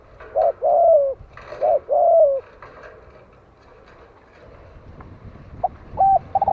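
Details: Spotted dove from Vietnam giving a call meant to lure wild doves. Paired deep coos, short then long and falling, repeated twice, then a quieter stretch with scattered clicks before a new phrase begins.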